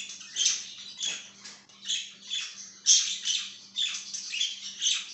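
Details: Budgerigar chatter from a pet bird indoors, rapid grating warbles and squeaks rising and falling in loudness about every second, over a constant low hum.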